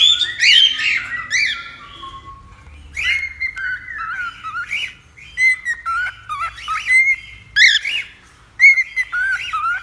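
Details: Cockatiel vocalizing to help tame a cockatiel: opening squawky chirps, then drawn-out whistled notes that dip and rise, separated by brief quiet spells and single sharp chirps.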